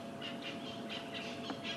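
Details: A francolin on an evening safari drive in Sabi Sands, calling a run of harsh, scratchy notes, about four or five a second, over a steady hiss of bush background; judged not to be an alarm call.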